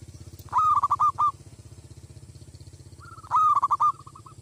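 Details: Decoy zebra dove set to rouse wild doves, uttering two loud rasping bursts of rolling coos, the second preceded by a soft lead-in note and ending in a trail of fading clipped notes, over a low hum.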